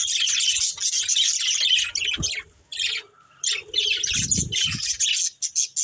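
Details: Budgerigar breeding pair producing loud high chatter and squawky chirps in long bursts, with short pauses and some low knocking sounds.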